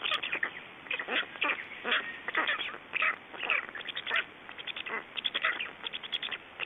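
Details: Black storks at an Estonian nest during feeding and a nest change between the adults, recorded 29 May 2012 in the evening: rapid series of rasping, wheezy calls repeated in bursts, with sharp clicks between them.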